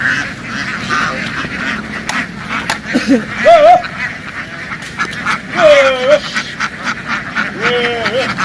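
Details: Loud farm ducks dashing into the water and back onto the bank in a field. Three or four strong nasal quacks, drawn out and slightly wavering, stand out from a busy background of softer calls and splashing.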